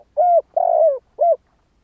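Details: Spotted dove from Vietnam giving a three-note cooing phrase: a short coo, a longer drawn-out coo falling slightly at its end, then a final short coo, all low and mellow.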